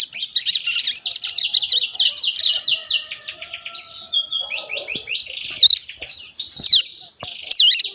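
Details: Mountain prinia chick just past one month, actively twittering while learning its song: a rapid busy chatter of high notes, thinning out later into a few separated loud downslurred calls.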